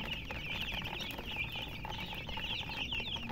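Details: A flock of chicks peeping nonstop, shrill high notes packed closely together into a lively chattering chorus over faint low background noise.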